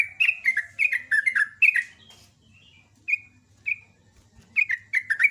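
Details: Morning song of a sooty-headed bulbul, known locally as trucuk: rapid runs of sharp, falling two-part chirps, a pause with single spaced notes, then another quick burst; soft low hum in the background.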